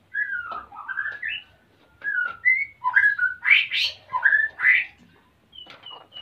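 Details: Breeding-condition male white-rumped shama wanting to mate, female building a nest, Salaman, Magelang, Central Java; varied phrases of slurred whistles and harsher loud notes, ending with two short high whistles.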